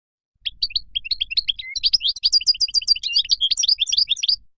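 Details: Continuous goldfinch song from Morocco, a lively stream of quick high chirps and short slurred whistles, tightly packed and varied, with no other sounds.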